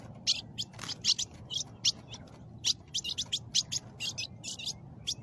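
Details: An Ultramarine Grosbeak (Cyanoloxia brissonii) inside a cage, attacked by a snake, gives sharp, high alarm chips, single or in quick pairs, about once a second at an uneven pace, over a low steady rumble.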